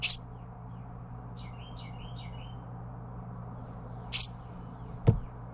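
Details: Carolina wren youngster begging while parents feed it, giving brief raspy hisses at the start and near the end, a few soft slurred chirps in between, and a single sharp knock closing the sequence.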